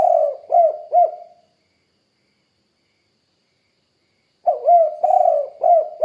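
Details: A spotted dove calls steadily. A phrase of low, soft coos ends early on, and after three seconds of quiet a new phrase of rolling, hooting notes starts and carries on to the close.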